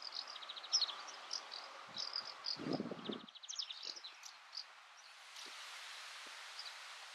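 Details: White wagtail (Motacilla alba alba) in Soomaa National Park, Estonia, June 2017, giving thin, high chipping notes and short rapid twittering runs over a steady hiss of outdoor noise with a brief low rustle.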